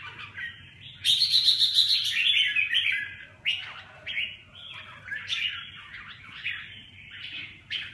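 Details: Red-whiskered bulbul delivering a loud, rich warbled phrase, then several shorter, softer chattering notes spaced through the rest of the recording.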